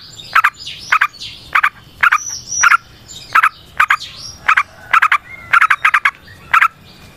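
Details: Lively rolling song of a yellow-vented bulbul, played as a lure for training other trucukan: rhythmic paired bubbly notes repeated roughly every half second, evenly spaced, with a quiet background.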